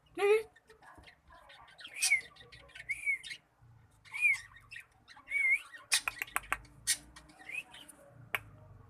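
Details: Learning to sing, a cockatiel opens with a short squawk, then gives several arched whistled notes, followed by a rapid run of sharp clicks and ticks with low background rumble.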